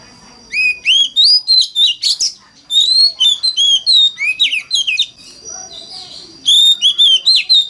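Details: Oriental magpie-robin in full 'mountain forest' lure song to start other magpie-robins singing: almost continuous quick runs of varied whistles, up-slurs and short rasping notes, in three bursts with brief breaks, a faint steady whine beneath.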